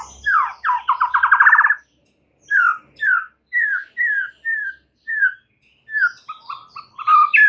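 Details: White-rumped shama song used to rouse other shamas into full song: a fast rattling trill opens, followed by a slow series of separate clear whistled notes with short pauses, ending in quicker mixed high notes.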